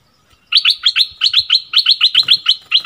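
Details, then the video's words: Bulbul singing a training song in the double-phrase style: a fast run of about thirteen clipped, bright notes, each dropping sharply in pitch, repeated evenly without pause over two seconds in a quiet setting. "เสียงต่อนกดอกแตงEp.33เสียงใหม่ล่าสุด เปิดดอกเพลงเบิ้ลน่าฟังSuara merbah lekir"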